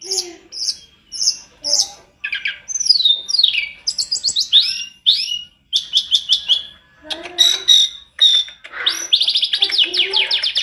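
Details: Sunda robin, known locally as tledekan gunung, pours out a rich, varied song on a master recording meant for training other birds: quick chirps, swooping whistles and fast trilled runs, with hardly a pause.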